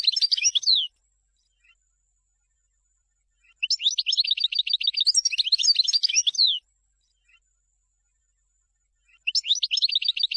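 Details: European goldfinch song chosen for tutoring young birds, given in three phrases separated by pauses, each a rapid run of liquid, tinkling high notes mixed with buzzy, descending twitters, about four notes per second.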